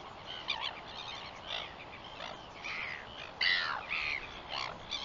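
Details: Northern royal albatross, 21 September 2021: irregular short harsh calls and rapid stuttering notes, with a louder, drawn-out, slightly descending call in the second half, over low hiss.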